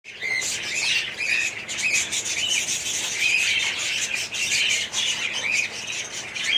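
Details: Budgerigar colony in an aviary, 2017: dense, continuous chatter of many birds, overlapping chirps, squawks and warbled notes with steady high-pitched twittering throughout and no clear pauses.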